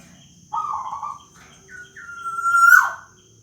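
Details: Local captive black-naped oriole, a young bird, giving its plaintive wailing call: a nasal, buzzy note near mid pitch, then a long drawn whistle that climbs slightly and ends in a harsh downward squeal; faint low background hum.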